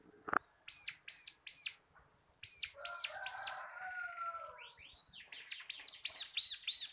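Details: Bar-winged prinia, local crystal type, singing ngebren tutor song for cage birds: rapid high arched chirps in short runs, broken by a sharp knock and a rough lower rustle, then a denser overlapping chatter.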